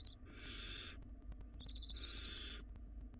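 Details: Two drawn-out, loud barn owl nestling screeches, hoarse and hissing with a wavering tonal band, each about a second long, from wild chicks fighting over a very large rodent in their nest box.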